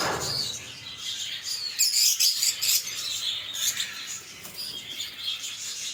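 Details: Lovebird song and chirps: sharp high tweets and scratchy chatter, loudest bursts in the middle, steady thin twittering otherwise.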